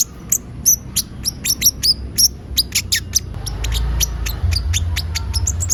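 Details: Olive-backed sunbird in lively song used as a singing lure; rapid high, clipped chirps and short downward-slurred whistles, with a low rumbling background from mid-clip.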